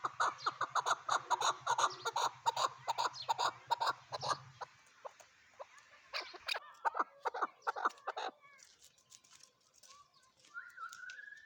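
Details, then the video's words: Chukar partridge clucking rapidly and loudly over a low hum, then the calls thin into scattered notes, ending with a faint rising whistle. "chakor voice chakor birds chakor sound"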